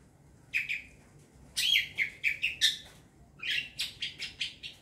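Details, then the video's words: Wild young long-tailed shrike calling in a lure recording, with a quick series of rasping chirps, a short break, then a faster, even run of scratchy notes. "Pancingan burung cendet muda hutan"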